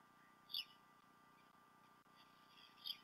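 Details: Bald eagle pair at the Decorah North nest on 28 February 2016, late morning to early afternoon, recorded by nest camera; two brief high chirps about two seconds apart over a steady electrical hum.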